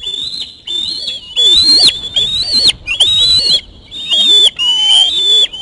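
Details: Osprey young screaming while grabbing and mantling a delivered fish at the nest; drawn-out piercing whistles, some swooping upward, in loud bursts about a second long.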